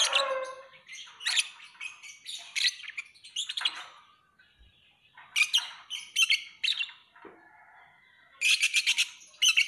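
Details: Lovebird singing in continuous shrill, scratchy chatter, rapid squeaky notes in clusters with brief pauses, ending in a fast buzzy rattle.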